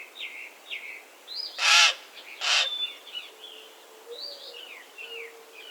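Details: A pair of coarse raven croaks close together, surrounded by faint chirps and slurred whistles from smaller birds.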